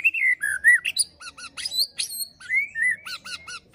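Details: Murai batu, the white-rumped shama, in 'pastol fighter' song used to stir other shamas: rich downslurred whistles, looping phrases and bright high chips delivered rapidly, each note clear against a quiet background.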